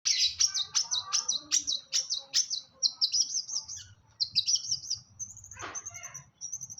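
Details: Long-tailed shrike singing a rapid run of sharp, high chirped notes, about three per second, then scattered higher whistles and a brief harsh downslurred note, with low background rumble.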